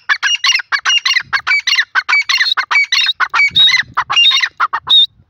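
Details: Grey francolin (teetar) calling loudly: harsh, squawking notes packed into rapid, rhythmic bursts, with short sharp phrases repeated steadily throughout and little other sound.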